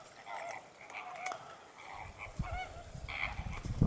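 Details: Greater flamingo flock giving nasal, goose-like honks, with bursts clustered near the start and again toward the end. The calls are fairly faint over a low rumbling background.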